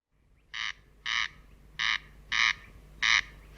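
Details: Corn crake singing: rasping double notes, each pair of harsh buzzy bursts repeated about every 1.2 seconds, over a faint steady background hum.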